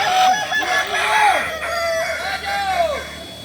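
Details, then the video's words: Kokok Balenggek cocks in group training, Ampang Kualo, Solok, West Sumatra; a series of distinct drawn-out crows, each bending up then falling, follow one another about every second over a background of other roosters. "Ayam kukuak balenggek"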